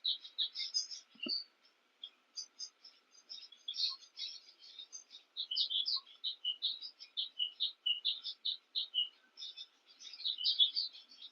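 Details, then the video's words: Cape weavers busy with nest building near a King Protea give a long run of quick, squeaky chips and buzzy chatter, softer at first, then denser and more excited later. "King Protea with the sounds of Cape weavers chattering and debating during nest building."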